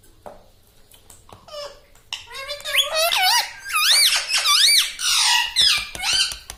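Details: Pet talking parrot indoors babbling a quick string of squeaky, speech-like syllables, pitch bouncing up and down, several in a row near the end.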